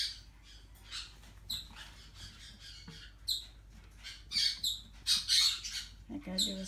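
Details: Four-week-old yellow-chevroned parakeet chick producing rapid, rasping, high-pitched squawks and chirps, roughly one per second and growing louder and denser toward the end, with a person's low voice briefly at the close.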